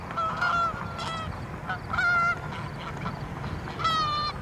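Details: Canada geese flying and landing, recorded 23 September 2014, give loud, nasal honks, a few about every second or two, each slightly falling in pitch, over a low rumble of background noise.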